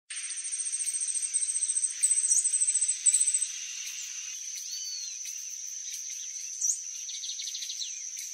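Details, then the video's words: Glittering-bellied emerald hummingbird (Chlorostilbon lucidus) singing: very high, thin, rapid ticking trills in short bursts over the first few seconds, above a steady high insect-like whine. "GLITTERING-BELLIED EMERALD singing"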